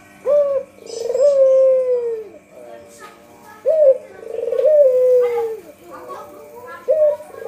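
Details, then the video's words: A white Barbary dove (puter putih), a lure recording, gives a short clipped note and then a long, soft, slightly falling coo about every three and a half seconds, over a faint background hum. "Suara Burung Puter Putih"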